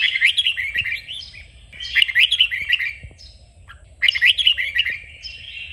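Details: Red-whiskered bulbul "kích bổi" song for training bulbuls to sing: three lively warbled phrases about two seconds apart, each a quick tumble of bright chirps followed by a short trailing note.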